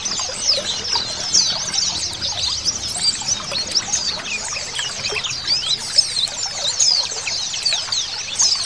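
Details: Oriental white-eyes, a flock including a female calling, chatter nonstop with thin, high, rapid twitters and sliding chirps that overlap into a dense, shimmering chorus.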